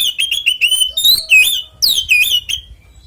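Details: Oriental magpie-robin giving a fighting song meant to goad other magpie-robins into song. Rapid, loud, varied whistles run throughout, with short repeated notes, then rising and falling slurred phrases, with brief pauses between bursts.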